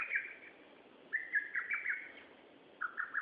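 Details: Bird song from 13 June 2011, in three short phrases of warbled, slightly descending whistled notes separated by pauses of about half a second, with low ambient noise underneath.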